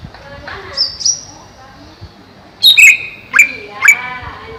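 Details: Caged greater green leafbird kept above a pond starts with soft thin whistles, then a loud chirped phrase and two sharp upswept whistled notes, with a steady high hum throughout.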